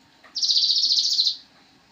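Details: Javan cochoa song used as training material for songbirds: a single high, buzzy, finely trilled note held about one second at a steady pitch, then fading out.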